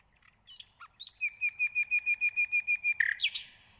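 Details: Nightingale singing: a few soft introductory notes, then a steady series of about a dozen clear, high whistled notes on one pitch, ending in a loud, harsh, buzzy flourish.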